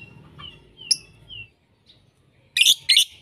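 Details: Mixed lovebird lure recording: a few thin, slurred whistles, one brief upward squeak, a short silence, then two loud, harsh, buzzy chirps in quick succession.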